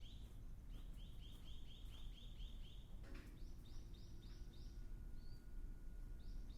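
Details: Ryukyu ruddy kingfisher returning to Ishigaki Island, Okinawa, in spring, its first calling of the year noted on 31 March: two series of clear, arched whistled notes, rapidly repeated about five per second, over steady low background hum.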